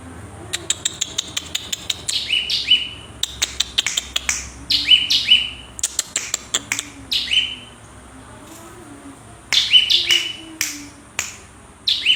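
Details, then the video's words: Cinereous tit singing energetically: rapid runs of dry snapping clicks mixed with bright, high, downward-slurred whistled notes in several repeated phrases. Brief pauses fall between bursts, over a faint low hum. "GELATIK BATU GACOR MEWAH ISIAN"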